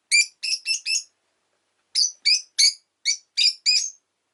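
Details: Rosy-faced lovebird, a pet orange bird, in its last recording: harsh, clipped chirps in two groups of four and six, each note short and raspy, about three per second.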